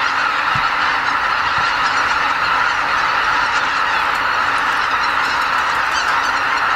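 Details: Dense pre-dawn chorus of about 80,000 greater white-fronted geese leaving their roost at Lake Miyajimanuma, a Ramsar wetland in Bibai, Hokkaido, Japan, during northward spring migration; countless overlapping honking calls merge into a continuous roar with a few sharper cackles.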